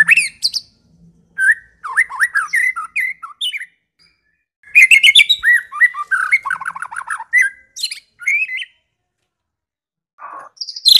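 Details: Medan white-rumped shama in varied, clean lure song for coaxing other shamas to sing: phrases of slurred whistles, chirps and a fast chattering run, separated by brief pauses, ending with a high squeaky note.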